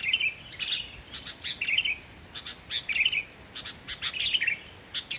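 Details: Sooty-headed bulbul in lively, energetic song with no mimicked inserts, used to coax reluctant bulbuls to sing; short warbled chirp phrases repeated in irregular bursts roughly every half second, clean quiet background.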